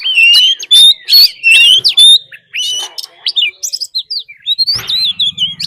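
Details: Oriental magpie-robin lure bird giving a fighting song mixed with a wild female's call, used to provoke other birds: loud, rapid run of clear whistles and sharp chirps, some rising and falling, then softer varied notes and a brief low hum near the end.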